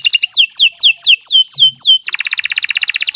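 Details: Canary song for training: a series of seven clear descending whistled slurs roughly every quarter second, then an abrupt switch to a fast, even rolling trill.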